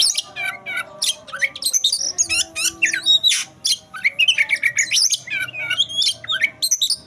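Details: Oriental magpie-robin in fight mode, singing a fast, loud medley of whistles, rattling trills and harsh chips in tight bursts, barely pausing, over a faint low hum.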